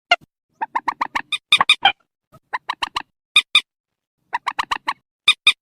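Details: Purple swamphen lure call for nets at night: groups of four or five nasal clucking notes, interspersed with shriller, brighter triplets and short pauses.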